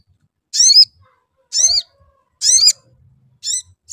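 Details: Sooty-headed bulbul calls used as a lure to make the bird sing; sharp, bright chirped notes with a slurred, slightly falling shape, given singly about once a second against a quiet background.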